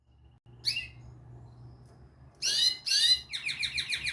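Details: Pleasant canary singing: a brief high chirp, a pause, then loud bright phrases and a fast series of repeated sweeping notes, over a low steady hum.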